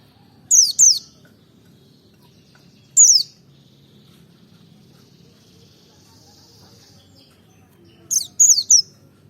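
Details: Double ngalas song of a Merapi-type white-eye used as provocation: sparse bursts of two or three thin, high descending whistles separated by long near-silent gaps.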